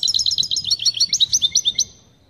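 A European goldfinch gives a quick run of about fifteen high, tinkling notes, roughly eight a second, for under two seconds, used to excite another goldfinch.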